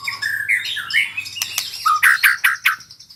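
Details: White-rumped shama learning to sing rolling trills: varied chirps and short whistled notes, then a series of sharp, clipped notes repeated at a quick, uneven pace, with a faint low hum underneath.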